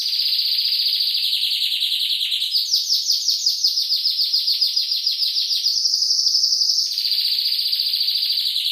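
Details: Nonstop canary song used to train other birds: a dense high rolling trill that shifts through several pitch levels, each section a fast pulsed roll of many notes.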